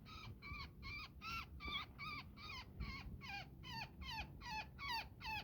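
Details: Woodpecker trapped in netting, calling in distress during its rescue: thirteen rasping, nasal calls at a quick even pace, a bit over two per second, against a soft background hiss.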